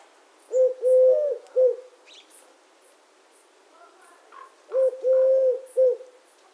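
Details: Mellow coo-cooo-coo from a Eurasian collared dove, heard twice with a pause of about three seconds, the middle syllable clearly the longest; faint bird twitters behind.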